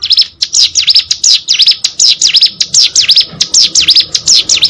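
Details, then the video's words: Vigorous hill prinia song, a continuous chain of loud, sharp V-shaped notes repeated rapidly and evenly throughout. "burung ciblek gunung gacor"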